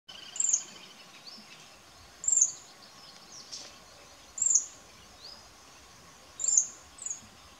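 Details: A Pale-billed Flowerpecker in India sings its trill: thin, very high, sharp chips in short bursts about every two seconds, with a faint insect hiss beneath.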